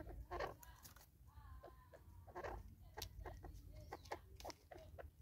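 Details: In South Africa in 2024, Natal spurfowl fighting over a meal give harsh, scratchy clucks and squawking bursts in irregular clusters, with a low background rumble.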